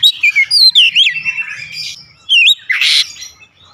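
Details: Oriental magpie-robin singing a rapid run of clear whistled notes, swooping up and down, then a pause and a harsh burst followed by a loud buzzy note.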